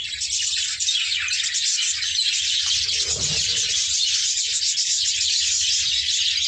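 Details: Budgerigars in a breeding colony with nesting pots holding eggs and chicks, heard during a nest check: dense, continuous high chirping and twittering from many birds, with a low rumble and a brief thud midway.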